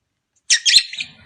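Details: A lovebird calls in a recording aimed at getting a long-unmated pet pair to breed: one harsh, squealing chatter that breaks into rasping fragments before fading.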